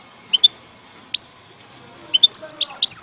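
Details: European goldfinch in Algeria, 2019: a few high twittering notes, then a quickening run of bright chirps climbing and tumbling toward the end.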